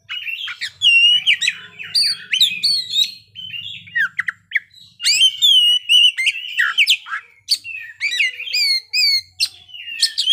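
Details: Oriental magpie-robin, locally called kacer, singing continuously through its fill-in phrases: loud sweeping whistles, rapid chips and warbled trills in long unbroken runs, with a low hum early on.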